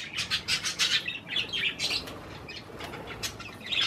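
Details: Budgerigars kept as pets eat cherry tomatoes while giving rapid, rasping chirps in quick clusters, then a few scattered shorter notes.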